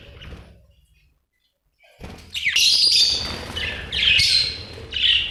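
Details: Chirping budgerigar, an Australian bird: after a quiet gap, loud harsh chattering bursts and squawky chirps rise in quick succession over some low background rumble.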